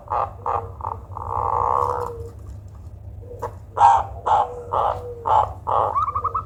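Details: Zebra dove with an unusual call reputed to be good for luring: short choppy notes, a long rasping buzz, then a series of loud harsh bursts that lead into a quick trill of arched coos.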